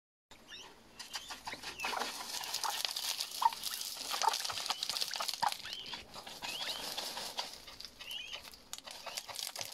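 Himalayan monal chicks keep up a dense, overlapping chatter of thin, high peeps and short chirps, about one a second, with soft clucking and rustling beneath.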